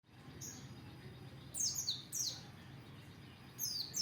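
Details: Oriental white-eye, open-beak (buka paruh) style training song: a few short, very high thin chirps in quick falling pairs, separated by pauses, over faint low steady background hum.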